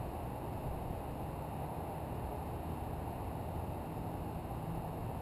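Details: Only a steady broadband hiss and low hum are heard, with no animal sound.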